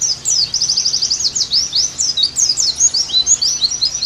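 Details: Oriental white-eye song used as therapy and tutoring: a dense, continuous high warble of rapid slurred notes, tumbling and overlapping with barely a break.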